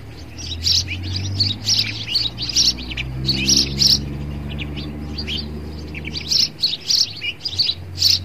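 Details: Sparrow battling itself in a mirror, uttering rapid strings of sharp, high chirps, pausing midway then resuming in dense bursts, while a steady low droning hum runs underneath.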